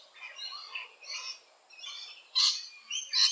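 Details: Nesting rainbow lorikeets in Australia: scratchy warbling chatter broken by two sudden, loud, harsh shrieks close together near the end.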